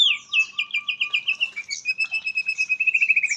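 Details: White-rumped shama, a kept songbird from Indonesia with katem song fill, delivering a steady series of quick rolling whistled notes that speed up toward the end.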